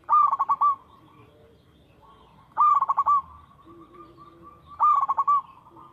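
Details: Local zebra dove singing as a lure: a rapid stuttering coo near mid pitch, a short burst of pulses ending in a held note, repeated about every two seconds over faint background hiss.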